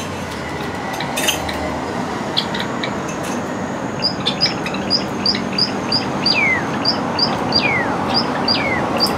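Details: Java sparrow sunbathing in a cage on a cloudy day, left uncovered by cloth; from about four seconds, short high chirps repeat roughly every half second, some ending in long downward-sliding tails, over a steady low background hum.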